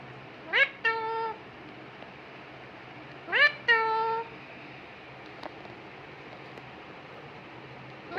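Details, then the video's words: Pet parrot indoors giving two loud rising squawky calls, each followed by a harmonic-rich drawn-out note, spaced about three seconds apart, with a faint click later and steady low room hum. "mittu talking video"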